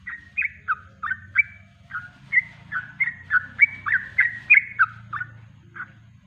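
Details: Natural kongslet song of a Yellow-vented bulbul, recorded as master material for training birds: quick chattering phrases of short slurred whistles, some rising and some falling, over a soft low droning background.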